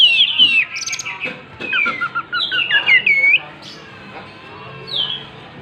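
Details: An Oriental magpie-robin sings while fanning its tail, giving sweet descending whistles and looping slurred notes, then a pause and one last falling whistle.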